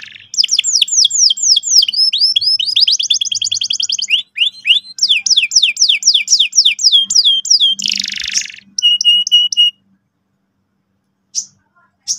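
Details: A very vocal canary gives a lure song meant to get young birds rolling quickly and sharply. It pours out rapid repeated sweeping notes in long trilled runs, then a short burst of paired chips and a few isolated notes after silence.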